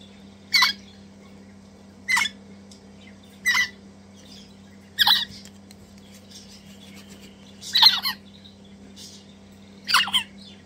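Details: Two captive Crimson Rosella chicks being hand-fed, messy and enthusiastic eaters; six harsh, broadband squawking bursts about every one and a half seconds, with a steady low hum underneath.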